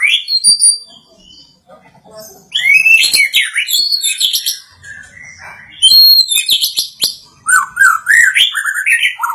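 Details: White-rumped shama, agitated after hearing a played sound, delivers a loud, rich varied song of whistled, warbled and chattering phrases, sweeping and rising notes, in bursts separated by brief pauses.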